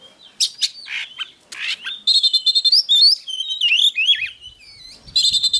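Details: Oriental magpie-robin song for stimulating other magpie-robins: scratchy harsh notes open the phrase, then a fast stream of high whistled warbles with wavering and rising notes, ending with a burst of quick repeated whistles.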